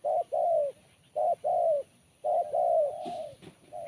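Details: Spotted dove with a sharp, crisp kuk 1 voice: loud, mellow coos in close pairs, the last one drawn out and gently falling.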